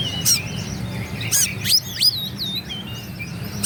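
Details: Singing Oriental magpie-robin, a provocation song to make rival birds angry; scattered bright whistles, steep rising slurs and a few sharp clicks with pauses between, low background hum.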